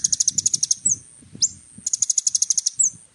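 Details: Little spiderhunter singing energetically with a varied song: fast runs of thin high chips broken by isolated swooping slurred notes, with light low background rustling.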